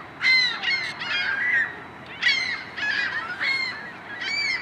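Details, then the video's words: Iceland gull (Larus glaucoides) at Ashbridge's Bay Park, Toronto, Ontario, Canada, on 15 March 2010, giving harsh, nasal squealing calls in short bursts, several notes run together and repeated about every two seconds. "Iceland Gull (Larus glaucoides)"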